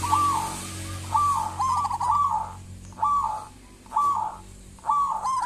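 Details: Zebra dove (local perkutut) calling briskly as a lure for other doves. Short rolling coo phrases about once a second, each a quick trill rising then dropping, over a faint low hum.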